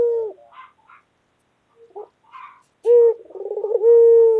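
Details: Local white collared dove, a loud and very vocal pet bird, gives one full coo near the end, with a sharp onset, a bubbling pulsed roll and a long level tone, after faint scattered chirps and knocks.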